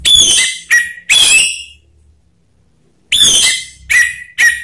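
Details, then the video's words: Orange-headed thrush song used as a lure to trigger singing: loud, harsh bursts of rich whistled and squawky notes with strong overtones, three phrases, a two-second pause, then three more clustered phrases. "Pancingan Anis Merah/seketika emosi bikin Ngakrak lanjut ngeplong"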